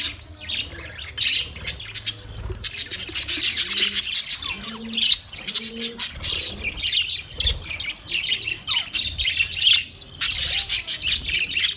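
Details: Parrots recorded on 20 November 2023, giving a continuous jumble of high chirps and harsh squawks from many birds at once. Occasional lower, paired notes stand out, and the bursts swell and fade throughout.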